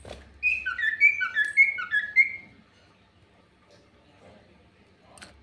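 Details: Common iora singing as a lure bird, very chatty: about eight quick paired whistles, each dropping in pitch, over two seconds, followed by quiet low background hum and a soft click at the end.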